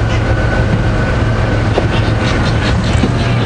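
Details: A steady vehicle engine rumble fills the recording, with faint speech underneath and no animal calls.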